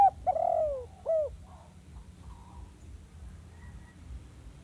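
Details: Spotted dove recording used as a lure for trapping wild doves: two loud, low, hollow coos, the second sliding downward, then faint, softer coo fragments over a low rumbling background.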